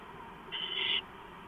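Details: Owl inside a nest camera housing with two others, April 6, 2015, 4:45 AM; a single harsh, wheezy hiss lasting about half a second against a low steady hum.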